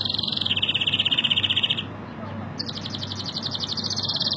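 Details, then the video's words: Canary delivering a strong, beautiful song: a fast, even trill of rapid high notes lasting over a second, a short pause, then a second, higher-pitched rolling trill, over a steady low hum. "تغريد جميل و قوي لطائر الكناري canari"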